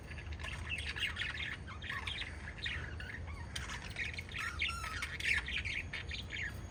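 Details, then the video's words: Five lovebirds keep up an even stream of squeaky, scratchy chirps and short squawks, overlapping chatter rising briefly louder in the second half. "Five Little Lovebirds Chirping Sounds"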